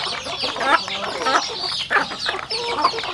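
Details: Chickens on a rural home farm while eating: a mix of high chirping peeps and short clucks, with pecking taps roughly every half second.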